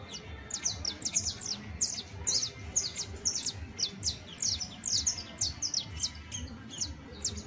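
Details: Song of a saffron finch, meant to help train a finch of the same kind: continuous bright, high-pitched chirping with quick downward-slurred notes in dense bursts, steady throughout, light low-frequency background noise.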